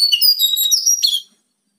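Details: Bar-winged prinia song played to coax caged birds into singing loudly: a dense burst of high, bright whistled and trilled notes lasting about a second, then silence.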